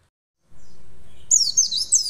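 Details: An Oriental white-eye (pleci) answers immediately, in a clip meant to train other white-eyes to sing readily. It gives a brief burst of high, thin, rapid twittering notes over a low background rumble.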